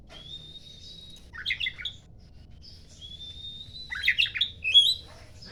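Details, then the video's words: Oriental magpie-robin singing in the morning; a long, thin, level whistle followed by a burst of quick jumbled chirps, the phrase given twice, the second ending in sharp high notes, over a faint low hum. "SUARA EMAS KACER POCI, KICAU DI PAGINHARI"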